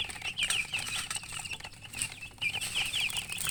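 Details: Freshly hatched chicks calling loudly in a group, bright rapid peeps coming in clustered runs with a short quieter gap before the chorus resumes.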